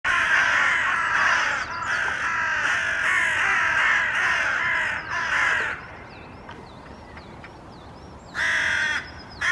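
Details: A few Hooded Crows perching in a treetop in Helsinki, Finland, in April 2024, calling in a slightly agitated tone: a run of harsh, rasping caws in quick succession, then a pause before two more caws, with faint thin whistles from small birds behind.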